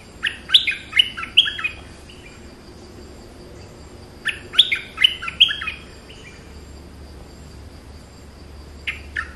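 A streak-eared bulbul gives bursts of quick, chattering, bubbly notes about every four seconds, with quiet pauses and a faint low hum.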